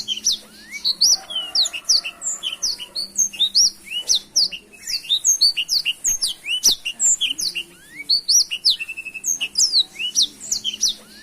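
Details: Black-throated canary in full, lively song: a long rapid run of sharp chirps and swept whistled notes, tumbling up and down, with brief trills and almost no pauses.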